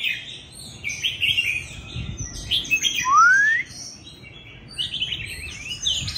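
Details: Mature, wild-caught Oriental magpie-robin kept tethered at home, singing loudly: scratchy high warbled phrases with one clean rising whistle near the middle, separated by short quiet gaps.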